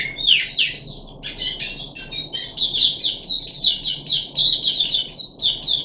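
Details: Puff-backed bulbul in a cage, recorded 14 July 2021 on the third day of deworming: fast, jumbled, high-pitched twittering, a rush of scratchy chirps and brief whistles pouring out continuously.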